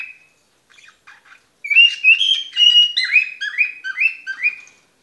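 A cockatoo whistles a clear tune: a long level note, then a quick run of four rising, swooping notes about a third of a second apart. No other sounds are heard.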